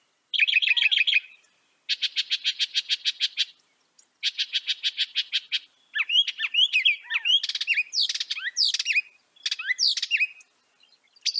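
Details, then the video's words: A northern mockingbird delivers long rattling trills of rapid notes, repeated in several bursts, then breaks into a jumble of varied slurred whistles and sharp chirps. "Veja o canto do pássaro, ave zombeteira"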